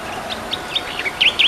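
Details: Tektekreyod bird calling: quick high chirps rising in strength to two loud, sharply dipping V-shaped notes, all within a second and a half against faint background hiss.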